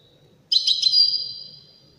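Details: A single Widani goldfinch phrase: a sudden cluster of quick bright notes that blends into a long, steady high whistle, slowly fading after about a second, in an otherwise quiet setting.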